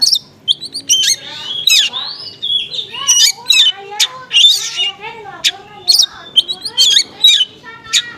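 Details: Lure of an oriental magpie-robin in konslet style blended with small-bird material, for provoking magpie-robins to respond. Fast, continuous stream of high chirps, whistled sweeps and warbled lower notes, busy and varied throughout.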